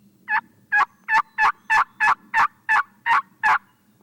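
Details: Wild Turkey in Tennessee on public land during spring hunting season, at first light near a roosted bird: a loud series of ten coarse, rasping notes, about three per second, over quiet background.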